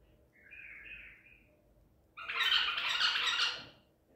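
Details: Recorded 14 April 2021, a white-eared bulbul of the Baghdadi type caught at Medical City sings a soft, short warble first, then a loud, dense, chattering outburst lasting over a second.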